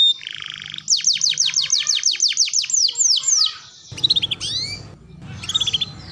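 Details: Canary singing on an Indonesian training track for young to adult canaries: a rapid series of descending whistled sweeps for about three seconds, then broken bursts of short whistles amid a sudden patch of broadband noise.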